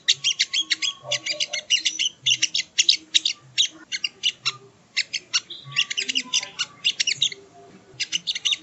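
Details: Sogo ontong in training audio for cage birds: an extended series of high, rapid chirping phrases with brief pauses between them and soft low sounds underneath.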